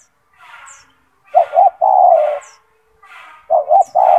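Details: Spotted dove owned as a vocal tutor bird, big and loud-voiced. Two full phrases: paired short coos followed by a sustained deep coo, about two seconds apart. Breathy rustling and faint high chirps from other birds fill the gaps.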